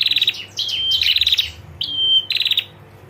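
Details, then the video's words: Ngetir call of a female prinia, used to draw a response from males: rapid pulsed trills broken by long steady high whistles, packed closely in a few seconds of loud calling. "PRENJAK JANTAN DIJAMIN LANGSUNG NGRESPON SUARA PRENJAK BETINA NGETIR GACOR"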